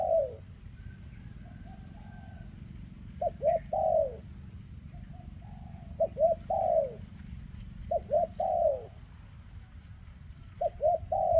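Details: Spotted dove, a bird with a leg defect, from 2024, cooing repeatedly in phrases of two brief notes and one longer descending note, with soft level coos between, a faint higher whistle early on, and a low background hum.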